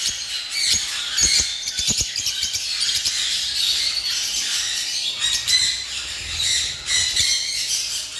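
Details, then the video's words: Lovebirds at a bird farm giving high shrill squawks and chirps in overlapping bursts, with a few clicking taps early on and a steady low hum. "Love bird || ভালোবাসার পাখি"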